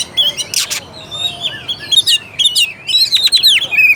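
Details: Lure song of an Oriental magpie-robin aimed at a lazy, less combative bird: clear high whistles, a harsh burst, then fast zigzag warbled phrases ending in a sustained whistle.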